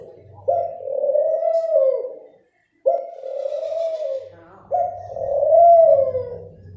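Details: A dove gives three mellow, level coos in a row, each about a second and a half long with brief silent gaps, slightly rising at the start and fading at the end.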